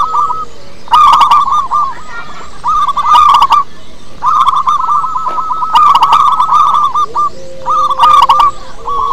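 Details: Lure recording of a local wild-strain zebra dove: several separate phrases of rapid, rippling coo notes, the longest near the middle, each paired with crisp clicking bursts and a faint low hum near the end.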